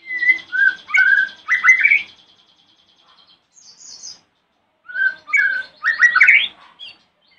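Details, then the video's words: Morning song of a white-rumped shama meant to make other shamas reply: clear whistled notes rising into rapid buzzy, chattering flourishes, two bursts separated by a quiet gap with a faint high note. "Pancingan murai Batu Pagi hari | bikin murai manapun langsung nyahut"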